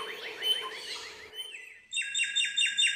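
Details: Wild bar-winged prinia singing vigorously in nature: a run of quick upslurred chirps repeated several times a second, a short pause, then a bright series of high, sharp repeated notes.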